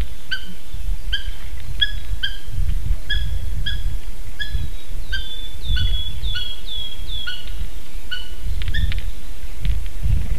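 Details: Two adult Eurasian hobbies at a nest, Slītere National Park, Latvia, 3 June 2021 at 9:06 am: a long run of shrill, evenly spaced 'kew' calls, some sliding into brief whistles, then quickening into a fast trill, with steady low rumble underneath.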